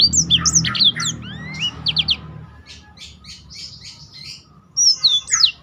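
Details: Black-throated canary song used to provoke and train other birds; dense high whistled slurs and short trills, fading into softer distant chirps before a final bright burst.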